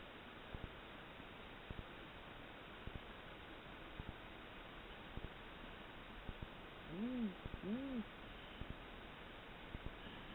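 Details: A tawny owl (Strix aluco), at first thought to be a barn owl, gives two short, low, arched hoots less than a second apart, over steady hiss with scattered faint clicks.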